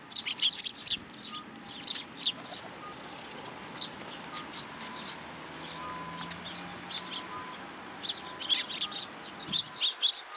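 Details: Juvenile sparrow in a plum tree at a Tenmangu shrine on 15 June 2022, there to get food. A quick flurry of high chirps opens, then scattered thin notes, then another busy chirping burst near the end.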